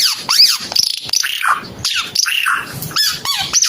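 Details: Red-eyed bird from Timor singing vigorously: sharp high chirps, swooping whistled slurs and brief buzzy notes in a quick, irregular sequence.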